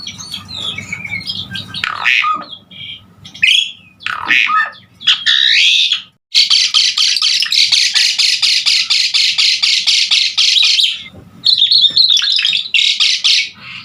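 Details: Asian pied starling in vigorous song, used to train other songbirds. It opens with mixed whistles and squawks, then gives a long, rapid series of harsh, buzzy notes, pauses, and resumes.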